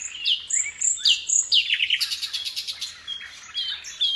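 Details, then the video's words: Nightingale prized in Indonesia as a tutor bird for songbird keepers, singing 'gacor' full song: high whistled notes and sharp upward sweeps, followed by a fast buzzy trill of rapid pulses. "Nightingale song FULL gacor"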